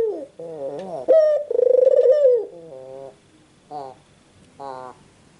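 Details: White puter dove giving broken, wavering coos and one strong drawn note in the middle, followed by softer short rising notes with pauses between them.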